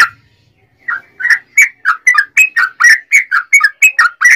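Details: Sooty-headed bulbul repeating short liquid whistled notes at a quick, uneven pace, several per second, alternating higher and lower pitches; played as a lure to make other bulbuls respond, with a faint low rumble at the start.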